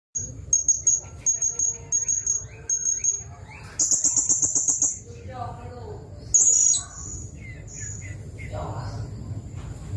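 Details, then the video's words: Blue-crowned hanging parrot song used as a training recording for white-rumped shamas: very high, thin, sharp notes in quick bursts repeated about every half second, then a longer, buzzier rapid trill and a final sharp note, over low background hum. "Suara Burung SERINDIT"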